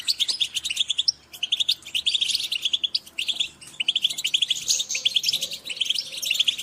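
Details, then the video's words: European goldfinches in a group giving dense, continuous high twittering chirps, several overlapping, over a faint low background hum. "Group calls for goldfinch are great for motivating birds"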